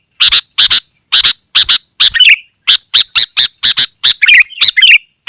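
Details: Rapidly repeated loud, scratchy notes from a sooty-headed bulbul, interspersed with a few twisting, gurgling warbles, with barely any gaps.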